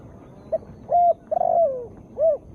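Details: Calling female spotted dove, played to stir silent caged birds into singing; one phrase of a brief low note, a steady coo, a rolling falling coo and a final arched coo.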